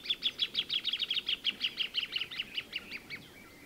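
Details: Plain thornbird song: a long rapid series of dry chattering notes, about three per second or faster, steady at first then slowing and fading toward the end, with faint background hiss.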